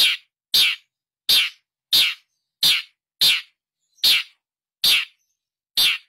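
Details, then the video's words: Long-tailed shrike, lively lure sound meant to spur a reluctant shrike into song: nine loud, grating, rasping notes repeated steadily about every two-thirds of a second, with clean silence between them. "Pancingan SUara pentet Gacor untuk mengatasi pentet yang macet bunyi"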